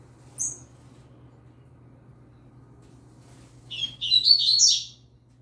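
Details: Young yellow-bellied seedeater singing alongside a green-winged saltator: a single sharp high chirp, a pause, then a rapid burst of high twittering, warbled notes lasting about a second, over a faint low hum.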